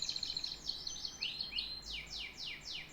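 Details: Canary song: a quick string of repeated high pulsed notes, short whistled slurs, then a slower series of five loud downward-sweeping notes in a steady rhythm.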